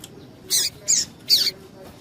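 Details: Three quick, harsh, high rasping notes from a female double-collared seedeater, calling to excite males, delivered within about a second.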